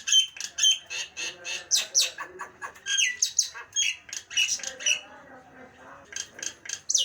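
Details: Nias hill myna uttering a fast, uneven stream of sharp, high, squeaky and harsh notes, almost continuous with brief pauses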